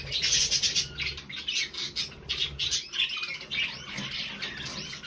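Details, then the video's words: On 20 November 2020 three budgerigars give fast, busy chatter: sharp squawks and bubbling chirps tumbling over one another in quick bursts, a constant high hiss in the background. "Drei hübsche Wellis"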